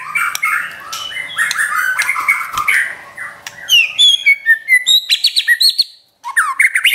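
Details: White-rumped shama from a champion bird, singing in the trotol style used to provoke pet shamas: varied whistled and buzzy phrases, then a run of sharp rising notes repeated quickly, a short pause, and a final upward whistle.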